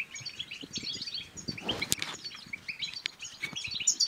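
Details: European goldfinch song from Morocco, used to stir other goldfinches to sing and mate; dense twittering, tinkling notes run continuously at high pitch, with a sharp click near the two-second mark and faint low thumps.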